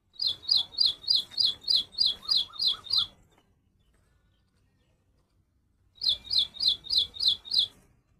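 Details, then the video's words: Little woodstar giving a fast, very regular run of sharp high chips, about three per second, a silent gap of several seconds, then another similar run. "Little Woodstar Bird Chirping Sound"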